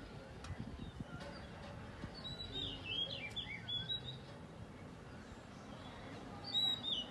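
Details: Oriental magpie-robin (Copsychus saularis) singing loudly in the morning; a cluster of clear whistled notes sliding up and down midway, then a brief brighter phrase near the end, over a low steady background hum.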